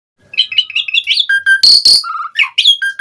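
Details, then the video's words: Asian pied starling in full-isian gacor style, nonstop chattering song: quick rising whistled notes, then two harsh rasping bursts and flat whistles, rapid and varied. "Suara Jalak Suren Gacor Full Isian ANTI MACET Saat Musim Hujan/Kemarau Pancingan TERAPI Burung Jalak"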